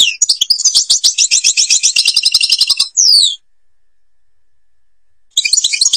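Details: Algerian goldfinch, Babas forest: a long sustained rattling trill lasting nearly three seconds, a quick falling whistle, silence, then a brief return of twittering.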